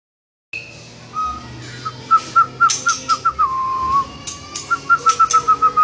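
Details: White-rumped shama (murai batu) singing vigorously in gacor style: a string of clear, pure whistled notes on a steady mid pitch, repeated rapidly about three or four per second, with a long held whistle in the middle and faint clicks.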